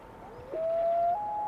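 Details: On a North American lake between sunset and night, a Common Loon gives its haunting call: a long, pure, mournful steady note that steps up to a higher sustained tone, over a quiet still background.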